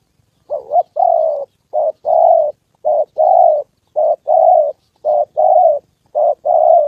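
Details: Trained decoy spotted dove cooing during a trapping session with a wild fighting male and a descending female: six rough two-note coos, short then long, evenly spaced, otherwise quiet.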